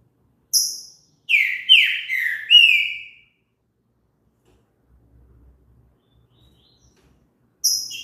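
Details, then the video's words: Trinca-ferro, the green-winged saltator, singing: two thin high notes, then a phrase of four full, slurred whistles that drop in pitch, followed by several seconds of near silence. "TRINCA FERRO CANTO ESTIMULA O SEU A CANTAR"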